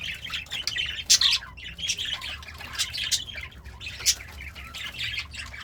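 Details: Happy pet budgerigar chirping and singing while eating greens: busy scratchy warble with sharp bright squawks bursting out about once a second over a faint low hum.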